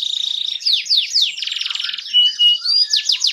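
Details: Fan-tailed canary song used as a tutor to make other canaries sing: fast trills of descending sweeps, buzzy rapid pulsed rolls and a clear sustained whistle, all high and continuous, switching phrase type every half second or so.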